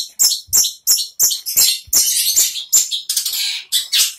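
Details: Caged long-tailed shrike, uncovered moments before, gives a rapid series of short, harsh, high notes about three per second, then merges them into longer scratchy, buzzy phrases.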